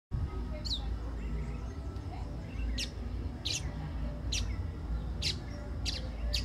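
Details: Pale baywing (Agelaioides fringillarius), a bird of the caatinga of northeastern Brazil, gives sharp, high chirps at uneven intervals of about a second, over a steady low rumble.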